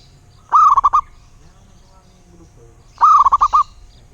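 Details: Two cooing phrases from a local zebra dove (perkutut), about two and a half seconds apart. Each has a rising first note and a quick rattle of four or five notes, with faint background chirps between.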